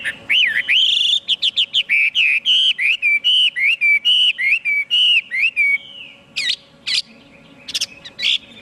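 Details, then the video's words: Loud whistled song of a Chinese hwamei, a fast run of roughly twenty similar looping notes delivered almost two per second, followed by a few sharp, abrupt sweeping notes after a brief pause. "tiếng chim hoạ mi hót cực hay"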